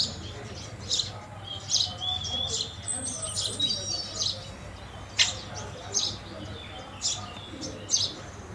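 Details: House sparrow chirps, loud single notes mixed with softer twittering and thin whistled calls, suggesting several birds calling together over a faint low hum.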